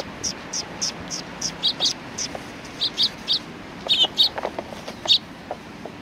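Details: Sparrows gathering to be fed at a Tenmangu shrine, 19 September 2020: a lively series of short bright chirps, some doubled, about one every half second, mixed with a few lower clipped notes and faint background rumble.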